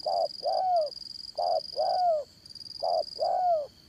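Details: Decoy spotted dove for trapping, dán cổ method, voice of the Đồng Son type, calling three loud two-part coos, a clipped note then a longer one dropping in pitch, with a constant high whine.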